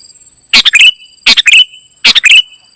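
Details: Ruby-throated bulbul, locally kutilang emas, in lively gacor isian song: three loud clustered bursts of quick, sharp warbling notes roughly every 0.8 seconds over a faint continuous high whine.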